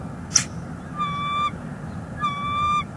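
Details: Female bald eagle at a nest in northeast Florida on 11 February 2021, calling to her mate perched on a branch while a chick sits in the nest; two thin, flat, high whistled notes about a second apart, after a sharp click.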